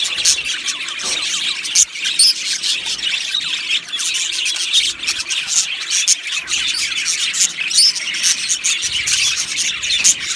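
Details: Aviary full of budgies singing and chirping, a steady high-pitched chorus of squawks, twitters and short warbles, with louder harsh calls now and then rising above the flock.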